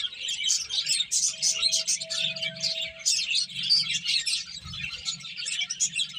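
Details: Finches feeding and playing together, their high, rapid chirps running into a busy, unbroken twittering chorus for the whole stretch, with a soft low hum underneath.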